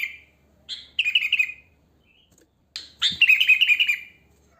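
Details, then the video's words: Wild sooty-headed bulbul singing naturally without other birds mixed in, used to lure bulbuls: a slurred note, then two rich, bubbling warbled phrases falling in pitch, separated by a pause of over a second. "Suara Kutilang Asli Alam Tanpa Isian Gacor, Ampuh untuk Pancingan, Bikin Kutilang Ribut Gacor"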